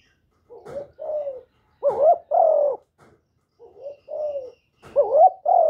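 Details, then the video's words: Spotted dove (cu gáy, cu đất, cu cườm) kept as a decoy bird, recorded directly without background noise and used to stimulate other captive doves: low mellow coos in paired phrases, louder rising-falling notes then a longer sustained coo, repeated about every 1.5 seconds. "Tiếng cu gáy mồi / cu gáy đủ bài giọng hạp bổi kích mồi luyện bổi mau nổi hiệu quả"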